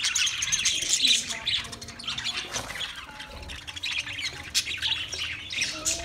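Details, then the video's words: Budgerigars give a rapid run of squawky, buzzy chirps and high warbles, fairly steady throughout, with faint low tonal notes. "Wildlife Budgies Birds Nature Sounds"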